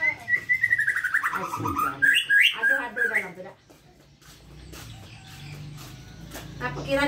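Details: White-rumped shama singing, presented as a tutor song for young birds: about three seconds of fast, bright whistled notes sliding down and then climbing in quick twists, followed by quiet with faint voices and background hum.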